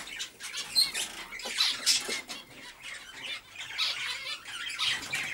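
Zebra finches chatter with bursts of nasal, buzzy calls and squeaks overlapping in busy succession.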